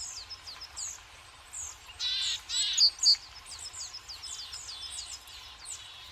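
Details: Several high, sharp chirps from tits at a woodland seed feeder on a bright winter day. The notes tumble rapidly and irregularly, with a louder burst of bright double notes midway.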